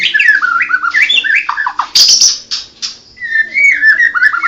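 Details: Medan-type white-rumped shama, blorok (mottled) plumage, pouring out fast clear whistles that jump and slur between pitches. A brief burst of harsh, noisy chatter breaks in midway, then a long descending whistled run follows.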